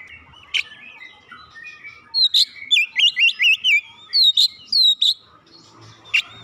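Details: Magpie-robin song used to trigger a quiet bird to sing: scattered chips, then a run of about eight fast, looping whistled notes in a rolling sequence, followed by a few clear downslurred whistles and a sharp final note.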